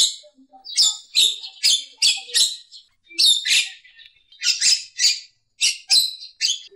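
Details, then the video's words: A Javan myna on a tutor recording gives a harsh, chattering song: a dozen or so grating, high bursts in uneven runs, broken by short pauses. "Suara Kicauan Burung Jalak Kebo Kerbau"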